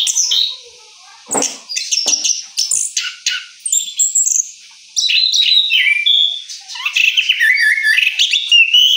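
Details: Orange-headed thrush in post-moult rolling song, bursts of bright whistled and scratchy notes, then from mid-clip an unbroken, rapid flow of varied phrases and mimicry-like twitters, close to the listener.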